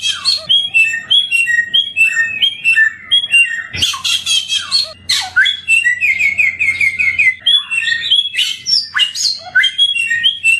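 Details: Sweet-voiced endemic samyong bird in a training recording. It sings unbroken, fast, varied phrases of chirps and whistles, with a sharp harsh burst at about four seconds and a string of quick repeated trill notes soon after.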